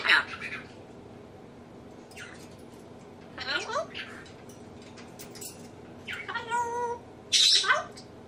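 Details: Indoor pet African grey, a male copying his owners' sneezes, laughs, burps and nose blowing, plus talking; scattered hissy noises and a drawn-out harmonic, voice-like wail, ending in a sharp sneeze-like burst.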